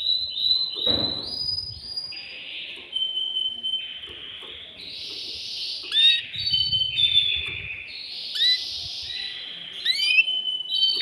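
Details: Male canary in a cage, singing to excite a female for breeding: a varied run of held whistles and buzzy notes at shifting pitches, with short upward slurs between the phrases.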